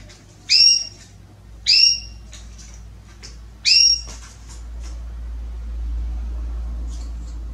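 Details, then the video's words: Female Belgian canary soliciting mating, giving three short, high, bright chirps spaced about one to two seconds apart in the first four seconds, followed by a steady low background hum. "Canário Belga Fêmea Pedindo Gala"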